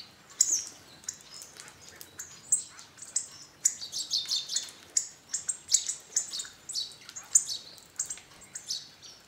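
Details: Flock of hawfinches at a garden bird feeder in northern Hungary; dense run of short, sharp, high-pitched tick notes, often doubled or clustered, overlapping from several birds, with brief quieter gaps between bursts.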